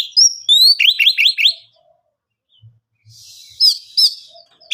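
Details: Oriental magpie-robin singing to provoke other birds into replying: a run of rising whistled slurs repeated quickly, a pause, then softer scratchy notes and two upslurred whistles.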